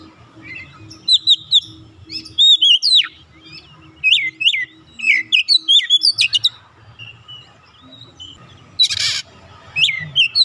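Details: Untrained oriental magpie-robin joining in and singing energetically: varied clear whistled phrases, slurred rising and falling notes and quick chatters, with pauses, one harsh noisy burst near the end, over a faint low hum.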